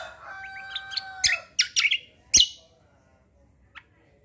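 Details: Bulbul heard with steady whistled tones and a few thin rising notes, then loud, harsh, clustered chirps and one fainter call near the end.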